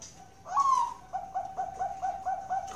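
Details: Captive zebra dove (Bangkok perkutut) at a bird farm in Kroya, Cilacap, Central Java: a rising opening note followed by a steady run of short, clipped coos repeated about four per second, with faint indoor hiss behind.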